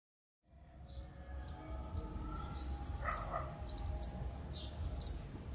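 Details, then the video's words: Red-keeled Flowerpecker (Dicaeum australe), a Philippine endemic, gives very high, thin, sharp ticking notes at an irregular pace of about two a second over a low rumble. Recorded in forest habitat at Bued River, Northern Philippines, on December 25, 2020. "Call of the Red-keeled Flowerpecker"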